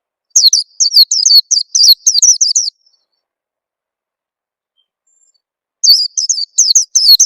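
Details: Oriental white-eye lure sound used to coax birds into singing quickly: rapid high, thin twittering notes in quick bursts, a run of about a dozen chirps, a pause of three seconds, then more chirps.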